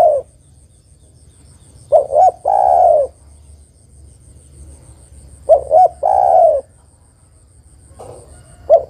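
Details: Female spotted dove calls for the male. Two full phrases sound, each a pair of short cooing notes and a longer mellow, downward-sliding coo, spaced about three and a half seconds apart, with a faint start of another.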